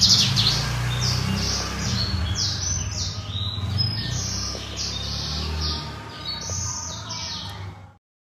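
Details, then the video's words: Black-throated canary of the 'somerini' type, singing in lively, persistent style: a continuous run of rapid, high, twittering and chirping notes, varied short phrases strung together without pause for about eight seconds, over a steady low hum. "Kicau BURUNG BLACKTROAT SOMERINI GACOR"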